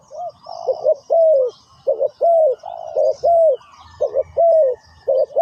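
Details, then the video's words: Spotted dove calling as a lure for wild doves in ground trapping; soft hoarse coos, paired short notes then a longer downward coo, repeated rapidly, with faint background chirping. "chim cu mồi gáy gọi bổi"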